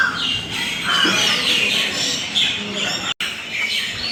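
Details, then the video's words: Banyan tree full of birds: many chirp and squawk at once, a dense chorus of high, overlapping notes with frequent sharp calls and no single clear singer. "Natural Bird Chirping Sounds"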